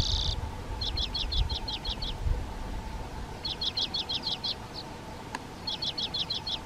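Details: Water pipit in Hrubý Jeseník, Czech Republic: clear high notes repeated rapidly in runs of about eight, three runs separated by pauses, over a loud steady wash of low background noise.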